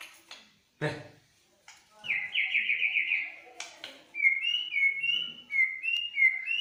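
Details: White-rumped shama, a singing bird whose song is said to prompt other birds to sing: a long buzzy trill, then a run of short rising whistled phrases repeated about every half second, with clicks and knocks before it.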